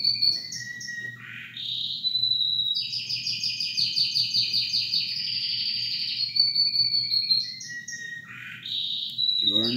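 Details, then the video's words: Two male canaries sing together, coaxed by their owner: a long, loud run of bright whistles and fast buzzy trills, switching phrases every second or two, over a low background hum. "Canary Bird Full Mode On world best Singing"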